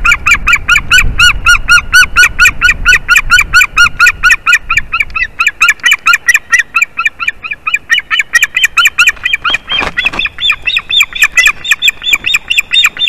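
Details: At a Durbe, Latvia nest on a March 2023 morning, a white-tailed eagle delivers fish to its mate. A long, steady chain of high, arched yelps repeats several times a second, briefly broken near the end by a rustling burst.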